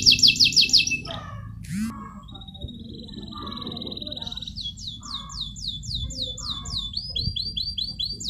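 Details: Canary singing contest training song: a fast high trill, a sharp rising note, a long steady whistle, then repeated descending slurred notes in quick rows, over faint low rumble.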